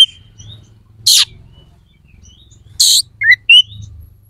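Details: Oriental magpie-robin singing to stir other magpie-robins' aggression and breeding drive: sparse notes, two harsh rasping bursts and a couple of short bright whistles, with a faint low hum throughout.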